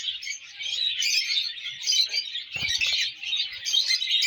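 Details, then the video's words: Lovebird chicks, colour lovebirds: continuous dense high chattering and squeaking, overlapping rasping chirps without pause, with a few soft low thumps in the middle. "colour love birds chicks"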